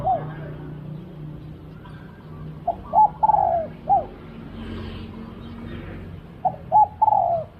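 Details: Spotted dove heard while decoy luring: mellow, arched coos given in short clusters of three or four, a pause of several seconds between groups, over steady low rumbling background noise.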